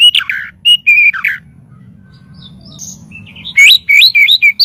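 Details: White-rumped shama song as master audio to train birds: short whistled phrases, a two-second lull, then looping, rising clear whistles.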